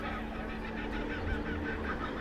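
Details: Two kookaburras perched atop a street-art mural along Maitland Road, Mayfield, Newcastle NSW, in winter, give a loud, raucous cackling chorus of harsh, rapidly repeated notes over a steady low street rumble.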